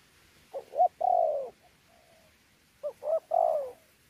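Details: Wild-caught local spotted dove from Sa Thầy, Kon Tum, Vietnam, 26 November 2019, cooing in the contest style known as pha đấu with soft gù notes: two phrases, each of short clipped notes leading into a long, gently falling coo.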